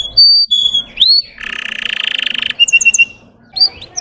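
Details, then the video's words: Canary of Russian type singing to rouse other canaries: short whistled notes and an upsweep, a buzzy pulsed roll, a few repeated clear notes, then a final upslur. "PANCINGAN SUARA BURUNG KENARI RUSIA UNTUK MANCING EMOSI BURUNG BAHAN"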